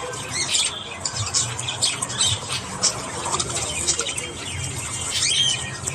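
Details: Morning budgerigar flock twittering steadily, raspy high chirps and squeaks overlapping, with a brief clear whistle late on and low hum beneath.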